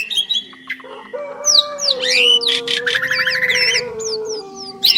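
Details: Two Asian pied starlings (jalak suren) singing a duet, described as champion birds: a long steady low whistle runs beneath varied sliding and wavering high whistles, rasping bursts and short chattering notes.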